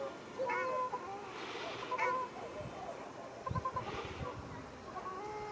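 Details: Ruddy shelducks in a fight, Arucas, Gran Canaria, 13 February 2021; a few honking, slightly bleating calls with gaps between, over a steady background rush.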